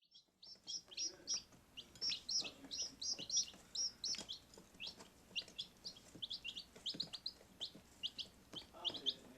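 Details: Baby chicks kept indoors in a utility room, giving a steady stream of high, thin peeping chirps, many short notes overlapping from several birds, with faint low background hum.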